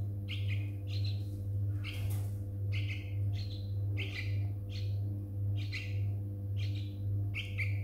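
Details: One of two baby yellow-vented bulbuls found on a front yard on a morning after a night thunderstorm, parents absent, gives short, scratchy chirps a little under once per second, over a steady low mechanical hum.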